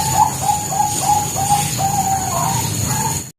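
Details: Bangkok-type zebra dove song used as a lure: a string of short, mellow coos repeated about every third of a second, some slightly rising, over a constant high hum and rumbling background noise.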